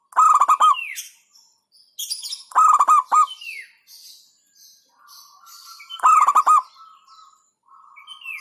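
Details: Zebra dove, local type, singing the hentakan beat said to agitate competitors; three stuttering bursts of quick coo notes roughly every two seconds, mixed with chirps and short trills from other songbirds.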